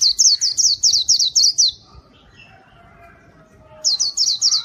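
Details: Wild birds are lured with this white-eye song: a rapid run of high, descending chirps, a quiet gap with faint low whistles, then the chirping resumes.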